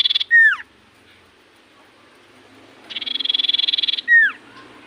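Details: Common iora singing strongly, its song said to prompt other ioras to reply: a loud falling whistled slur, a quiet gap, then a quick even buzzy trill and another sharply descending whistle.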